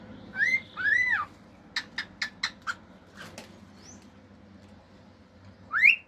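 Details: Male cockatiel kept as a pet, singing and imitating sounds such as other birds, wolf whistles and clicks: two arched whistled notes, a run of five sharp click-like taps, a faint chirp, then a final rising whistle.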